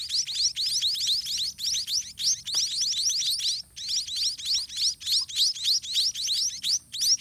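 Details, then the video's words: White-rumped munia babies in the nest beg loudly while a parent regurgitates food; dense, rhythmic volleys of high, upslurred squeaks keep going throughout, dipping briefly between groups. "White-rumped Munia Hatching & Feeding Babies in Nest"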